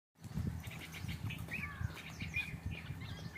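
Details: Bulbuls fighting give short, scratchy chirps and a few brief whistled notes in quick bursts over heavy low thumping and flutter.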